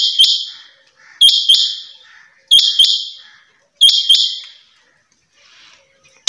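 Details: Female rain quail giving sharp, bright paired notes, each pair trailing off in a buzzy fade. The pairs come at a steady pace, roughly every 1.3 seconds, in a quiet setting.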